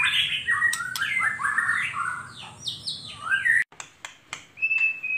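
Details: White-rumped shama in gacor song, 2021: fast tumbling whistles stepping up and down, then a brief silence, scattered ticks and a final thin, level, high whistle.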